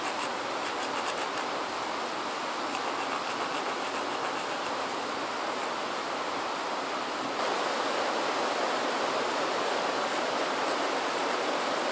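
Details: Steady broadband hiss like rushing air or a fan, slightly louder after a sudden step midway, with no animal calls.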